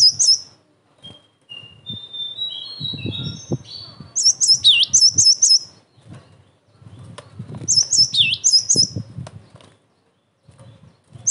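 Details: Cinereous tit used for provoking answers and training: two separate bursts of shrill paired notes followed by a dipping whistle, with thin faint whistles and soft thumps in between.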